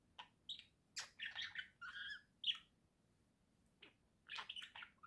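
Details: Pet budgerigars chattering indoors, a pair kept in a cage: bursts of bright chirps and buzzy warbled notes, then a pause before more rapid twittering.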